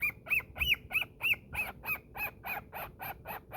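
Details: Pet cockatiel playing in its cave, giving a quick series of bright arched chirps, about three each second, fading and turning scratchier toward the end.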